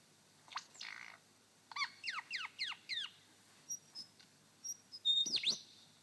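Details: A male superb lyrebird singing on his dancing mound in Sherbrooke Forest Park, Victoria, imitates a pilot bird: a quick run of sharp, downward-sweeping whistles, then scattered high chips and a loud ringing note at the end.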